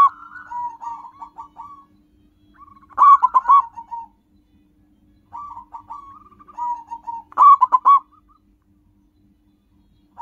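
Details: Local zebra dove song for luring wild birds: trilling, bouncy coo phrases, each ending with a loud stuttered burst, repeated about every four seconds.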